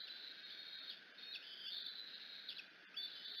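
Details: Hungry bald eagle eaglet at the Decorah nest in the afternoon, screeching as its mother arrives, heard as thin, high whistled squeals with short slurred notes over a steady background hiss.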